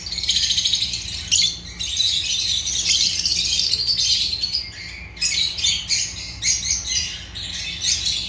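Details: African lovebirds of the genus Agapornis chirping in a steady, harsh, high-pitched chatter, with choppy bursts toward the end and a faint low hum underneath.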